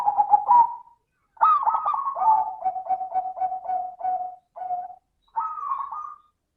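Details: Crystal-voiced local zebra dove used as a lure song to get quiet doves singing: a stuttered opening, then a steady run of evenly spaced cooing pulses, and a final rising burst.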